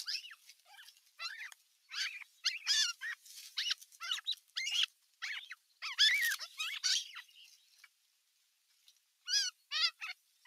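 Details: Osprey nestlings, the bigger chicks, clashing at nest no. 1 on 15 June 2023 while an adult looks on: a dense, overlapping run of piercing chirps and wavering squeals, a short lull, then a final rising cluster.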